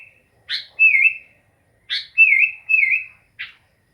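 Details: Sooty-headed bulbul giving paired phrases, each a sharp chirp followed by one or two wavering whistles, with a clipped chirp to finish; quiet surroundings.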